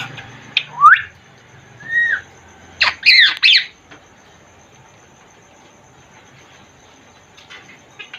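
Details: Congo African grey parrot in a cage gives a couple of upward-sliding whistles, then a loud harsh squawk burst, followed by quiet.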